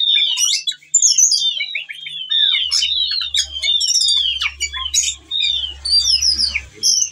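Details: Whistling thrush in breeding condition singing to call a female, delivering its full repertoire as a lure for other birds; dense tumbling chirps, slurred whistles and sharp clicks with brief pauses, faint low hum beneath.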